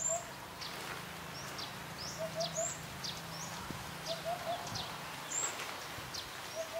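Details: Eurasian hoopoe calling the female to come and eat food. Faint triple 'oop-oop-oop' hoots recur every two seconds or so. Thin, high, short calls from other birds and a low hum are also heard.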